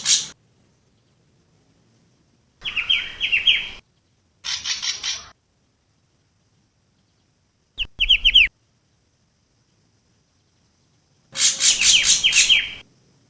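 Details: Long-tailed shrike lure song in Java: repeated bursts of fast, harsh, high-pitched descending notes, about four per second, broken by abrupt silences between phrases.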